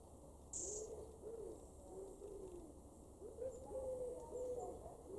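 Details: A wood pigeon in a garden in Weener, East Frisia, northwest Germany, in August 2023, gives deep, soft hooting coos in a rhythmic phrase, several low notes over a few seconds. A brief high sound cuts in near the start.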